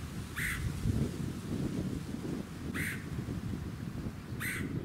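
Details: Red-headed Woodpecker in Ludington, Michigan, USA, June 2019, giving three brief harsh, grating calls spaced roughly two seconds apart over steady low wind and suburban rumble.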